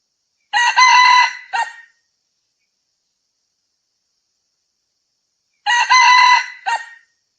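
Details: Crowing of a red junglefowl, 6 February 2020: two matching harsh crows roughly five seconds apart. Each has a long strained middle and a brief clipped ending, over a silent background.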